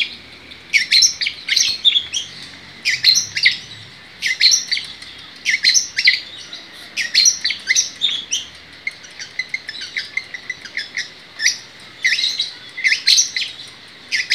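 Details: Long-tailed shrike in full song, a loud, rapid, varied stream of harsh chattering notes and high squeaky phrases delivered in bursts of a second or two with short pauses.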